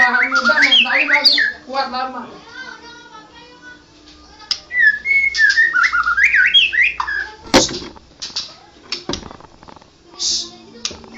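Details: White-rumped shama described as a national champion bird, singing a busy, chattering song: rapid whistled phrases sliding up and down, mixed with harsh rattles and clicks, pausing midway before resuming with varied whistled notes.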